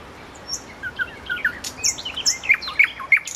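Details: Roadside common nightingale sings soft, scattered whistles and slurred notes that build into three loud, sharp repeated notes near the end.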